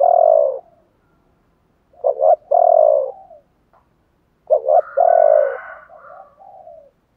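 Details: Spotted dove song in the 'chiêu ba hậu' style, meant to stir other doves into singing. Low mellow coo phrases come about every two and a half seconds; each has a quick double note and a longer drawn-out coo. The last phrase fades away.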